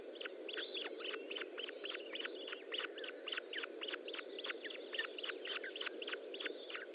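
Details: Ospreys at the nest while feeding, 25 June 2012, 10:58: a rapid, insistent series of high whistled chirps, each sharply downslurred, repeated several times a second throughout, over constant low hiss.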